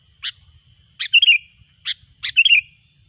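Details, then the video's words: Sooty-headed bulbul, played to lure bulbuls into traps: a sharp note, then a chirp followed by a tumbling warble, repeated twice within about three seconds, clean and loud. "suara burung kutilang gacor pikat terampuh"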